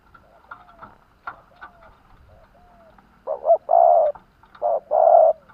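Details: Captive spotted dove kept as a decoy to lure wild doves, in Vietnam, giving deep hollow coos in a two-part phrase: a short coo then a longer one, twice, after soft clicks and faint whistled notes.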